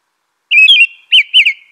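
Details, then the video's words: Brief American robin phrase: a long slurred whistle followed by two arching notes, each rising then falling, clear and close. "American Robin Song.(Turdus migratorius)."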